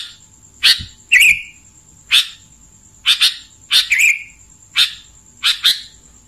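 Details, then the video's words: Clear kutilang, or sooty-headed bulbul, singing bright, sharp chirped notes and short slurred double phrases, spaced irregularly every half to one second, over a quiet background with a faint steady high tone. "Isian Gacor Kutilang Suara Bening"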